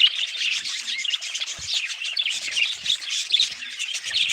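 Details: Many budgerigars twitter and warble nonstop, their rapid, chattering notes blending into a dense, even-level chorus.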